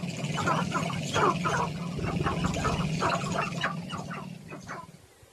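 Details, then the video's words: A male sharp-tailed grouse dancing in Northern Colorado to attract a mate: a rapid low rattling drum of stamping feet under quick, clucking cackles and hoots in short bursts, fading at the end. "Male Sharp-Tailed Grouse's dance to attract a mate!"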